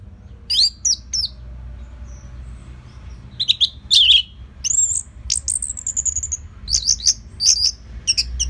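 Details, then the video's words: Orange-headed thrush singing steadily and calmly as a training lure: varied phrases of high sweeping whistles, trills and scratchy notes, some long drawn whistles, continuing with brief gaps throughout. "Dipancing Dengan Kicauan ANIS MERAH Gacor Selow"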